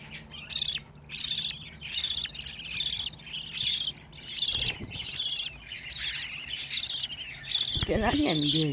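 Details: Young budgerigars, fifteen chicks in one place, call in rhythmic rasping buzzy bursts roughly every second; near the end a woman's low voice speaks over the calling.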